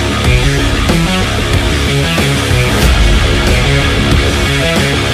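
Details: Loud heavy rock music with driving drums, distorted guitar and a steady beat fills the whole stretch, and no animal voice can be picked out.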